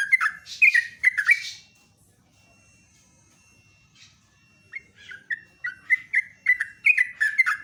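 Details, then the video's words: Sooty-headed bulbul in a loud morning song: a burst of whistled, slurred notes, then a near-silent pause with a faint steady tone, then a run of short dipping whistled phrases repeated about twice a second. "LIVE PAGI KICAUAN TRUCUK PALING MERDU"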